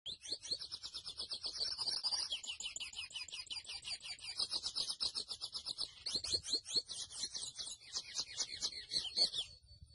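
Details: Grey seedeater, locally called mochuelo, singing a long, fast, continuous run of high twittering notes and trills, briskly repeated chips with slurred sweeps mixed in, sustained for the full ten seconds with no pause.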